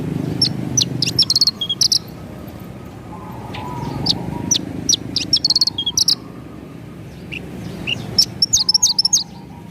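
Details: Actively singing Javan bush lark, rolling 'ngerol' song with sharp 'nembak' phrases, kept as a pet-bird tutor recording: bursts of high, piercing twittering notes in quick groups, with a lower warbling tone behind and steady background hum.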